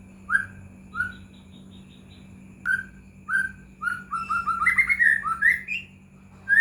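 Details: White-rumped shama lure song for prompting other shamas to sing: single clear whistles spaced about a second apart, building into a rapid tumbling series of varied whistled and rising notes, with a steady hum in the background.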